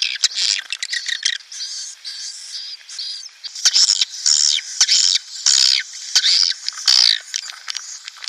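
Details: Swiftlet calls meant to bring a swiftlet colony into a nest house: bright, high-pitched chittering, with quick clicky notes at first and then longer trilled, buzzing phrases repeated in close succession.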